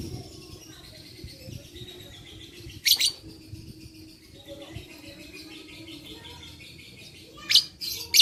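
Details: Lovebird sound dated 11/4/21, used to stimulate other lovebirds to sing: soft continuous high twittering broken by a harsh shriek, then after a pause two quick shrill screeches in succession.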